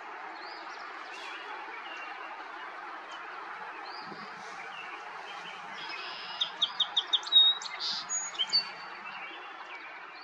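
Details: A song sparrow, recorded in May in Ontario, Canada, sings one bright phrase of sharp introductory notes running into a quick jumbled trill, over a steady rushing background like wind or flowing water.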